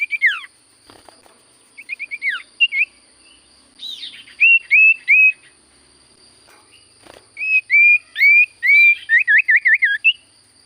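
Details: Common iora, called sirtu cipoh, in energetic song: short slurred whistles, then a run of repeated flat clear notes and a quick series of wavy looping whistles; a constant high-pitched electronic tone persists.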